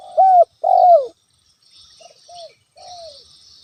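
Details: Natural lure call of a spotted dove meant to provoke a rival: two loud, rounded coos dropping in pitch, then quieter, more distant-sounding short coos repeating the pattern, with faint high hiss throughout.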